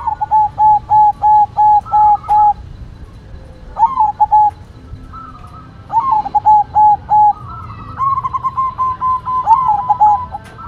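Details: White zebra dove singing steadily: an even run of about eight clipped, ringing coos, then several shorter rolling phrases and a longer held, wavering coo series, clean and loud throughout.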